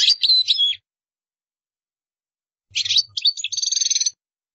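A European goldfinch sings two quick bursts of high, tinkling twitters, the second ending in a fast buzzy trill of repeated notes.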